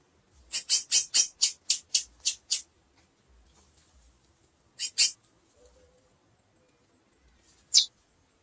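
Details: Female chestnut-bellied seed finch calling: a rapid run of about nine high, sharp chips, then a pause, a quick double chip and a final thin, high note.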